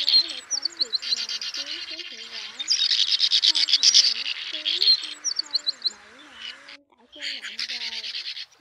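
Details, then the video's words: Swiftlets, both sexes, call the flock to roost, recorded for use as a lure. Fast, scratchy, high twittering comes in dense waves, breaks briefly near the end, then resumes, over lower sliding tones. "Tiếng Én Mốc , Nhạn Nâu Xám Gọi Bầy Ru Ngủ Lùm , Trống Mái Kêu Chuẩn Nhất 2024"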